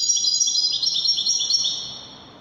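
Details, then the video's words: A European goldfinch sings a fast, high, tinkling twitter of quick liquid notes that runs for about two seconds, then fades out. "تغريد طائر الحسون الويداني chant de chardonnere"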